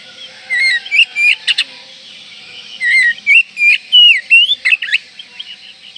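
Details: Oriental magpie-robin in breeding condition, song meant to rouse rivals: lively run of varied whistled notes, rising and falling slurs mixed with sharp clicking ticks, delivered in two dense bursts separated by a brief pause, over a faint background hiss.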